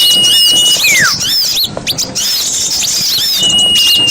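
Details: Lure call used to attract small birds; loud, shrill, high squeaks and chirps in rapid succession, with long steady piping whistles and a falling slurred note.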